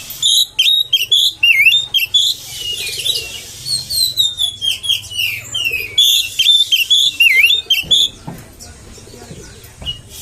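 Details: Oriental magpie-robin song for provoking other magpie-robins: long sequence of loud whistles, dipping slurs and chattering notes in repeated phrases, quieter near the end.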